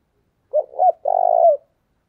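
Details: Single phrase from a decoy spotted dove luring wild doves: two short, soft coos followed by a drawn-out, vibrating, gently falling coo.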